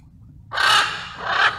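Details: A wild blue-and-yellow macaw in a flock relaxing and bonding gives a loud, harsh, grating squawk that swells and breaks into a second raspy burst, over low background noise.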